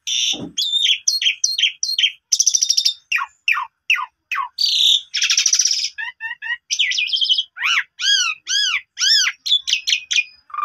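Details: Asian pied starling in energetic song, used to stimulate a sulking bird to sing. An opening low grunt leads into dense chatter, harsh buzzes, ticking notes and a series of arched, repeated whistled slurs.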